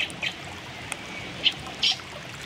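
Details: Two young fieldfares (Turdus pilaris) perched on branches give a few short, high, thin calls at uneven intervals, about five in two seconds, over a soft steady hiss.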